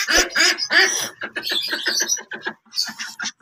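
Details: Human laughter and chatter indoors, with no animal sound heard.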